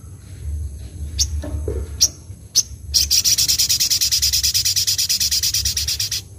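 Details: Ruby-cheeked sunbird (sogok ontong), gacor nembak isian song with fluttering wings: a few spaced sharp high chips and a soft low note, then a long rapid high trill of pulsing notes lasting over three seconds.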